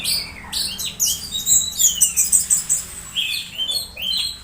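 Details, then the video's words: Orange-headed thrush making strange sounds while being conditioned, played as a lure to get others singing during misting: rapid high, thin chattering notes in quick bursts, ending with a falling squeaky phrase. "Suara suara aneh anis merah saat di cas ampuh pancing anis merah bunyi"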